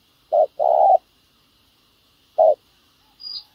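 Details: Spotted dove used as a trapping decoy to lure wild doves: one short-then-long coo pair followed after a pause by a single short coo note, then a faint high thin chirp from another bird.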